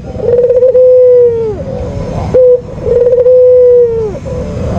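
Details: Two lure coos from a white Barbary dove, each with a trembling start and a long even mellow hum bending downward, divided by a short sharp note.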